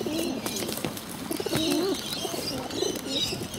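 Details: Bottle-fed pigeons begging while hungry, giving short wavering squeaky calls that rise and fall, a few seconds apart, over steady background hiss and clicks.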